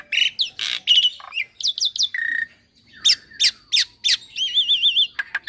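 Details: Young Javan pied starling, a captive songbird kept as a singing model, giving a varied song: harsh squawks, quick descending whistles, a steady whistled note and a warbling trill, in fast bursts with short pauses.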